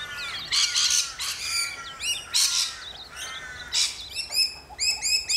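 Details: Rainbow lorikeets in Australia: a flock's shrill, scratchy screeches come in repeated bursts, broken by sharp, quick chip notes in short series.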